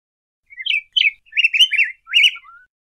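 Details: Rich, sweet warbling from a yellow grosbeak: a brief phrase of connected whistled notes that swoop up and down, closing with a faint falling slur, against silence.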